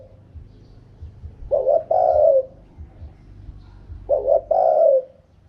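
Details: Wild-style 'karom pa' voice of a Spotted dove: a double short coo leading into a long, mellow, falling coo, delivered twice about two and a half seconds apart against a low rumbling background.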